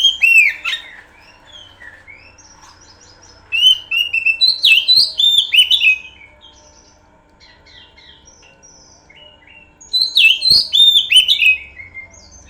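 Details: Oriental magpie-robin (kacer) song used as a pancingan lure recording: loud bursts of rich, varied whistles and sharp slurred notes, an opening burst, a second longer phrase around mid-clip, then a final burst, with quiet pauses between.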